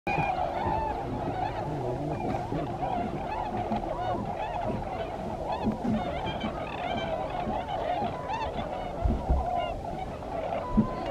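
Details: Thousands of tundra swans resting and refueling at Alymer on spring migration from the southeastern United States to the Arctic: a dense continuous chorus of mellow overlapping hooting calls.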